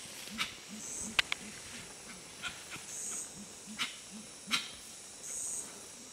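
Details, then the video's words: Low, muffled hoots from Gray-winged trumpeters in the Ecuadorian Amazon at Tiputini Biodiversity Station, given in a steady series roughly every third of a second, mixed with snapping clicks and brief bursts of high insect hiss. "Gray-winged Trumpeters (Psophia crepitans) - Tiputini Biodiversity Station"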